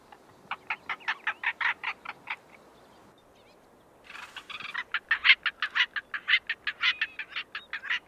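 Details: Male white-quilled korhaan from southern Africa giving a fast series of harsh rasping notes, a brief silence, then a louder scratchy burst followed by more rapid grating pulses.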